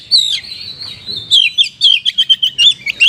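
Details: Oriental magpie-robin song in kapas tembak style: a sustained high whistle opens, then a quick string of short, sharp, bouncing whistled notes repeated several times per second.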